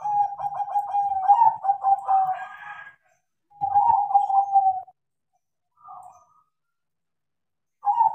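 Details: Zebra dove, a crossbred perkutut, singing eagerly after training: rapid trilled, bubbling coos at a steady pitch, a long rolling phrase followed by shorter bursts separated by pauses.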